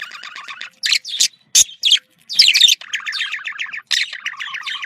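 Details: Budgerigar, a domestic pet bird, with chatter said to stimulate breeding: rapid scratchy warbling and chirps, short bursts separated by brief pauses, some harsh squawky notes among repeated trilled phrases.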